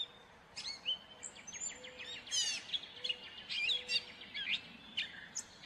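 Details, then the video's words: Gray catbird song as a run of rapid, scratchy notes mixed with thin whistled slurs, partly broken into quick repeated clicks, with a faint low hum and steady background noise. "Gray Catbird Call / Song / Sound"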